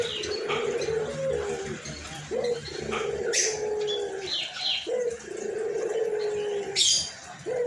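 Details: Hoarse-voiced, frequently calling white (albino) collared dove gives repeated long, low coos. Each begins with a quick upturned note and is drawn out for over a second. Thin, sharp chirps of small birds sound higher up.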